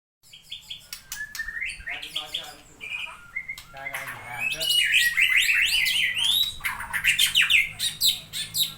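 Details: Long-tailed white-rumped shama of the Aceh type singing a rich song with luxurious fill-in phrases: a varied stream of clear whistled slurs, quick twittering trills and rising sweeps, getting louder toward the middle and end.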